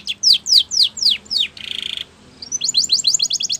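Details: Spanish Timbrado canary in a training song: loud descending whistled notes, a brief buzzy trill, a pause, then a quick series of short rising notes.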